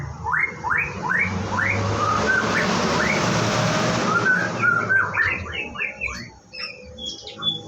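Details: White-rumped shama at a bird farm in its morning routine, repeating rising upslurred whistles about three per second, then a burst of quick high notes, partly over a broad hiss of running water.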